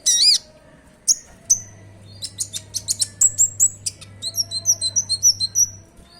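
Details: Common iora (konin) in lively song, used as a lure to set other caged konin singing: high, sharp chirps and whistled notes in a fast, uneven run of about twenty, over a faint low steady hum.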